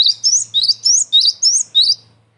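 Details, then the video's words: Cinereous tit (gelatik batu) lure call for trapping and tutoring caged birds: about seven crisp high notes in steady rhythm, each a rising whistle followed by a lower slurred note, over a faint low hum. "SUARA GELATIK BATU PIKAT AMPUH BUAT PANCINGAN DAN MASTERAN"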